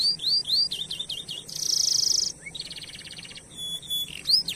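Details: Canary song recorded as a lure for other canaries: looping rising-falling whistles, then a bright rapid trill and a lower pulsing buzzy roll, closing with clear slurred notes.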